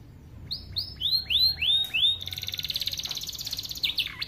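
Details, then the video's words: Starblue canary tutor song for training young birds: five rising-falling whistled notes in slow sequence, then a long fast high trill, closing with sharp downward-sweeping notes. "Kenari AF warna starblue gacor lagu unik mewah untuk masteran kenari paud"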